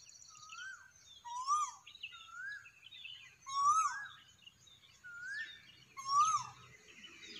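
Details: Cuckoo at sunrise repeating a steady series of upward-swooping whistled notes roughly every second and a half, while other birds chirp and twitter softly in the background.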